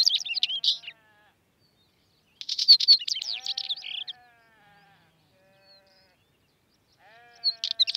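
A northern wheatear gives three short bursts of scratchy, chattering notes, each lasting one to two seconds, with quiet gaps between and faint low whistles in the background.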